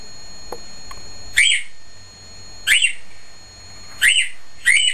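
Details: Single male cockatiel in his cage calling loudly: four harsh, abrupt chirping squawks spaced roughly one to one and a half seconds apart, with quiet room hum between them.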